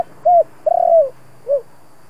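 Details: Single stimulating coo phrase of a spotted dove: a short smooth coo, then a long coo opening with a rapid stutter and falling away, then one rounded lower coo.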